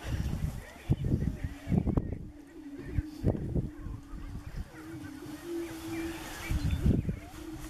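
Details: Greater prairie-chickens on a lek in northeast Nebraska during the spring mating season give low, hollow, moaning booms that run together into a steady hum, with irregular low thumps and wind between.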